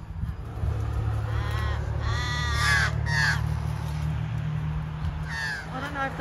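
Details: Crows at Narooma, NSW, mobbing and attacking a barn owl: harsh, nasal caws in ragged overlapping bursts over a steady low rumble of wind or traffic and a voice.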